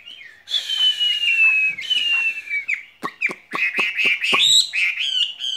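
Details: Caged skylark singing: a long thin whistle sliding slowly downward, then a run of sharp dry clicks mixed with short warbled chirps and rising twitters.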